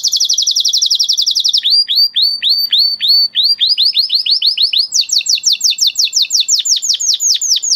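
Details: Male canary song made of rapid repeated swept notes, changing into a slower series of downward slurs and then a higher fast trill, loud and clean.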